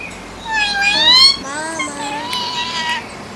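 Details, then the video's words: A friendly pet green rose-ringed (ringneck, Indian) parakeet that talks, in Bahrain, utters a few seconds of nasal, voice-like chatter with rising and falling tones like garbled human words in a quiet room. "Friendly Green Ringneck Parrot 🦜 Love to Talking"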